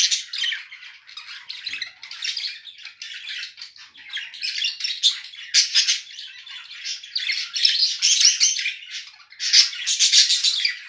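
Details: Two mated budgerigars chattering in captivity: ongoing raspy warbling mixed with sharp clicks and high chirps, growing louder and denser toward the end.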